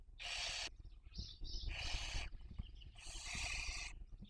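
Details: Barn owl nest in Cabañeros National Park, Spain, breeding season 2023, young being raised: three long, coarse hissing screeches, with soft higher chirps between them.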